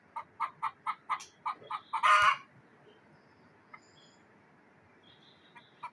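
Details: A frightened village hen in Kashmir's Neelum Valley clucks about nine times in a fast row, then lets out one loud, raspy squawk. Near-quiet follows, with only a couple of faint clucks late on.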